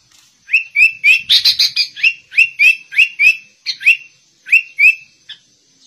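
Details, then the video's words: Sooty-headed bulbul singing in a style imitating the white-rumped shama: loud run of rising whistled notes, each sweeping up then levelling, repeated about three to four per second with a short burst of mixed chatter, a steady faint high tone behind. "Kutilang Rasa Murai Batu"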